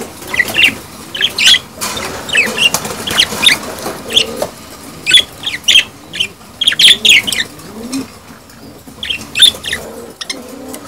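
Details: Budgerigars making mating calls used to stimulate breeding: dense, lively chirping in rapid clusters, sharp squeaky notes repeated in bursts, with softer low chattering underneath.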